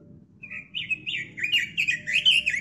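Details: Robin warbling loudly in a brisk series of slurred whistles, repeated roughly every quarter second, with a low hum underneath. Recorded as a tutor song for kept birds.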